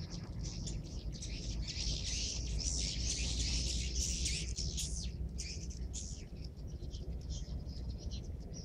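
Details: Many swiftlets entering a swiftlet house in Subang after the call to prayer: dense, fast, high twittering chirps, around four per second, over a steady low rumble of background noise.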